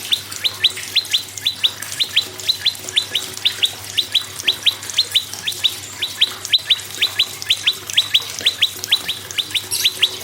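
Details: Prinia giving a long, steady run of crisp, rising whistled notes in close pairs, evenly repeated throughout, against a faint background hum. Used as a singing prompt for other birds.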